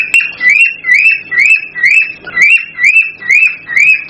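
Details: Male cockatiel in excited song meant to stimulate a female to mate: a rising whistled note repeated about twice a second in an even series, with faint clicks between phrases.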